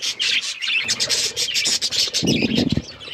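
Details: Budgies of mixed colours at play together, giving a busy stream of high chirps and chatter, broken near the middle by a lower rustling, scraping noise.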